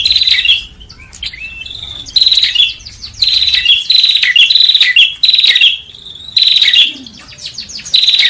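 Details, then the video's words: Bar-winged prinia sound played as a bird-trapping lure. Loud bursts of fast, sharp, ringing chips, each under a second, repeat in an uneven series with brief quiet pauses and a few soft slurred notes between them. "SUARA PIKAT BURUNG PRENJAK"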